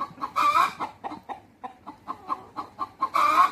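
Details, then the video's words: Rooster and hens talking to one another at a natural history museum, white peafowl nearby: a loud rasping squawk, then a string of evenly spaced short clucks, ending in another harsh squawk. "떠드는 닭들(Communications of The cock and The hens)"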